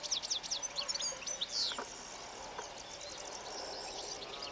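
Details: European goldfinch singing in early morning sun in Extremadura, Spain: a brief burst of quick, high, twittering and tinkling notes lasting under two seconds, then quiet countryside background.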